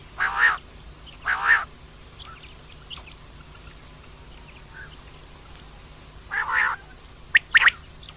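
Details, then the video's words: Calls of a female common quail: two rasping notes a second apart, a pause with faint ticks, then another husky note and a couple of sharp clicks. "common Quail Calling, Female Batair Ki Awaz"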